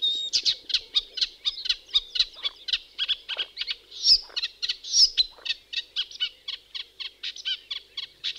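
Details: A Eurasian reed warbler in the UK in summer sings a steady, rhythmic, fairly melodic chatter of scratchy, high notes, about three per second, with a couple of sharper whistled accents.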